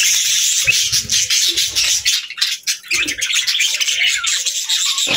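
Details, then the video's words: Several budgerigars chirping together during evening play, a loud, unbroken wash of fast scratchy warbles and twitters, with brief dips and a few soft knocks. "Budgies Evening Fun 🌆🦜 | Parakeets Chirping & Playing"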